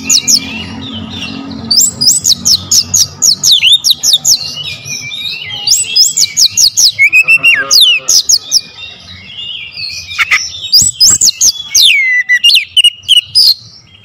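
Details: Oriental magpie-robin lure song delivered with power: dense, continuous runs of high looping whistled notes and sharp chips, phrases repeating every few seconds, a low hum at the start.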